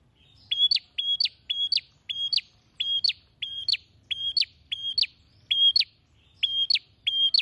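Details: Bar-winged prinia in vigorous song, beak opened wide, giving a fast, steady run of about fourteen identical sharp chirps, each a short flat whistle snapping upward at the end, roughly two per second, against near silence.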